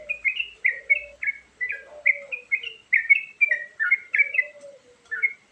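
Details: Sooty-headed bulbul, a varied fill-in song used to lure birds, with quick chains of short whistled notes that rise and drop, delivered in steady bursts, over a softer lower sliding whistle running underneath.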